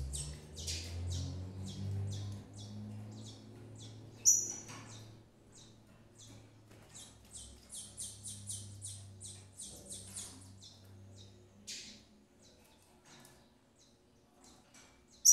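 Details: Double-collared seedeater, a female feeding her chicks: rapid bursts of high, thin chirps and short buzzy notes, repeated irregularly for fifteen seconds over a low humming background, with one sharp louder note midway.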